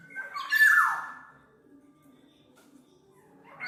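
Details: Black-naped oriole for songbird tutoring and luring: one brief, loud, nasal downward-sliding note at the start, followed by quiet with a soft low hum and a rising note just beginning at the end.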